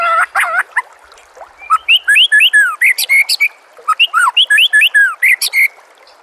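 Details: Training master song of the white-rumped shama, meant to make a caged bird sing in reply. Varied melodious phrases of looping whistles, sliding up and down, with crisp high chips between them.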